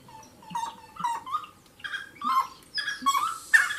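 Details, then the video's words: Wood rail (saracura) begins with soft whistled notes that build into louder, rasping, harmonic calls, ending in a strong harsh burst. "SARACURA...lindo canto"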